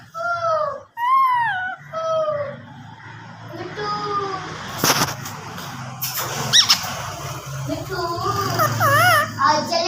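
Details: A green ringneck (rose-ringed) parakeet talks in Urdu and Hindi, chattering short, high, nasal word-like phrases in bursts, with rustling thumps and a few sharp squeaks between them.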